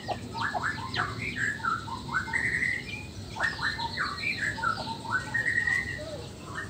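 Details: Male Nias black-tailed white-rumped shama singing to rouse rival males. Varied whistled phrases with rising and falling slurs, delivered in two long runs over a steady background hiss.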